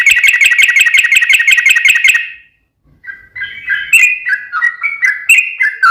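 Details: Yellow-vented bulbul used as a lure so other bulbuls answer: a rapid chattering trill for about two seconds, a brief silence, then looping bubbly whistled notes rising and falling.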